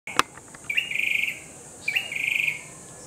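A grey-backed tailorbird sings two loud, high, rapid trilled phrases about a second apart, each opening with a short upslurred note; a sharp click comes first.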